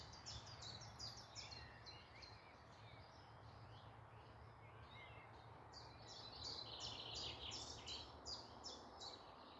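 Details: Morning birdsong in woodland near Malton, North Yorkshire: quick series of sharp, high descending notes in rapid runs, with other twittering singers layered beneath and a low background rumble.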